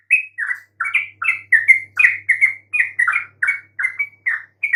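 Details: Chattering yellow-vented bulbul song played to coax silent birds into calling back: about eighty short, bright, slurred chirps a minute, each dipping or climbing, with a faint low hum underneath.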